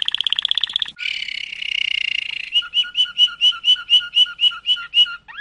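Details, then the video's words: Malinois canary song shifting from a fast rattling trill into a smooth gurgling warble, then steady knocking double notes repeated roughly three times per second, with a final quick rising slur. "chant canari malinois;canto canario malinois;تغريد كناري مالينوا"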